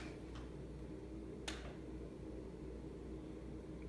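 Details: Quiet indoor room with a steady fan hum, a few faint ticks and one sharp snap-like click, with no animal calls.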